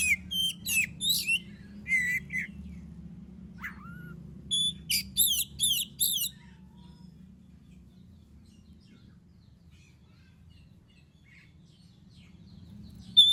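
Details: Song of an oriental magpie-robin, used as a lure to make other birds sing: a string of clear sweeping whistled notes, a brief rising slur, another quick burst, then near silence for several seconds.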